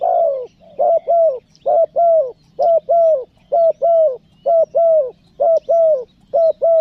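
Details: Spotted dove (tekukur) in the calling and "nekan nguku" style used to lure wild doves: steady series of low, paired coos, each pair about once per second, with a faint low hum beneath.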